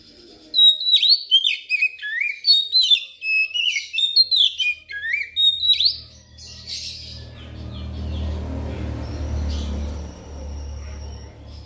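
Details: Oriental magpie-robin song used as a lure to prompt other magpie-robins to sing and for trapping: rapid string of loud, varied whistled notes sweeping up and down, dense for about five seconds, then quiet with low rumbling background noise.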